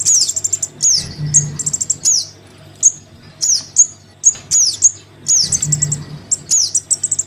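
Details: Crimson sunbird chick calling to its parent, played as a lure: a dense, restless series of shrill falling squeaks and short high chips, repeated irregularly, with a low humming background.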